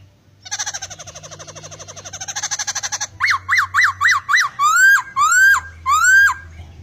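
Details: Laughingthrush showing odd fill-in sounds: a long buzzy, rattling chatter for about three seconds, then five quick peaked whistles and four longer upward-curving whistled notes.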